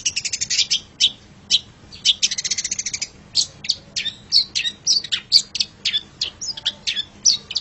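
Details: Pet long-tailed shrike singing a training master song: fast buzzy rattled trills at first, then a run of separate sharp high notes repeated about twice a second.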